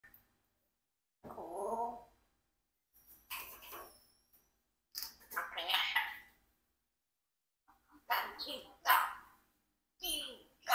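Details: A 4-year-old Congo African grey parrot practises words such as "fish" and "goat" in short, voice-like bursts, some low and rounded, others bright and squawky, with pauses between attempts.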